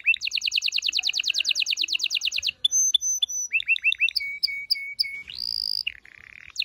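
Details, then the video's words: Canary mating song, a fast regular trill of repeated notes for over two seconds, followed by flat whistles, rising chirps, piping tones, a long rising note and a low buzz. "غناء طائر الكناري لتحفيز و تحضير الاناث و الذكور للتزاوج و تغريد المستمر"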